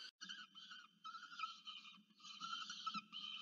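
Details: Young peregrine falcon at a camera-monitored nest in Orange, New South Wales, Australia, 13 November 2022, calling for food from a parent; quieter hoarse wailing notes broken into short segments, with a faint low hum beneath.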